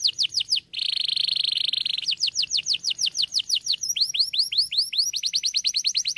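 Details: Singing canary: fast downslurred whistles, a sustained dense buzzy trill lasting over a second, then long runs of rapid, sweeping high notes repeated several times per second.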